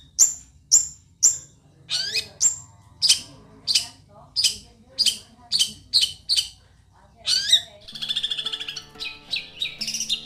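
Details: Long-tailed shrike with a fierce song: sharp high notes, first spaced then in a steady series, followed by a sweeping rising call and a busier stretch of mixed chirps and tonal whistles.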